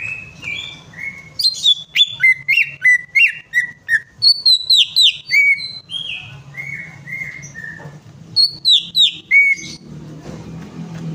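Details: Greater green leafbird song played as a prompt to get a bird that has stopped singing to sing again. Loud, clear whistled notes, some sliding and some sharp and chirpy, delivered in quick varied bursts over a low background hum.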